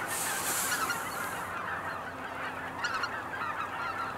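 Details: Cackling geese at Kejonuma, Japan, heard as a flock: a continuous mass of honking calls with a few sharper yelps near the end; a hissing high rush fills the first second and a half.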